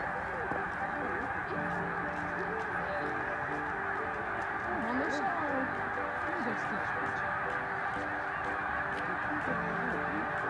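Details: Snow geese gathered in early spring at Middle Creek Wildlife Management Area during migration, 2022, as many as 150,000 present at peak: a steady wall of massed honking, with scattered clearer yelping notes that bend up and down throughout.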